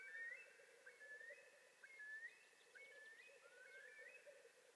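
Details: Osprey at a monitored nest in Satakunta, Finland, on 19 April 2019, making its first morning visit; a run of short, rising, whistled calls comes about twice a second, over a steady low electrical hum.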